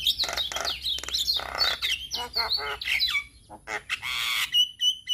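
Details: A male Javan myna sings a varied medley for other mynas to copy: slurred descending whistles, buzzy rasps and clicking trills, closing with a few clear high whistled notes.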